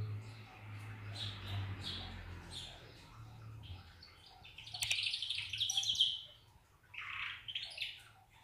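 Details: Belgian canary singing its original song: scattered chirps and short warbled notes, then a louder, brighter burst of rapid notes mid-clip and a few closing chirps, over a steady low hum.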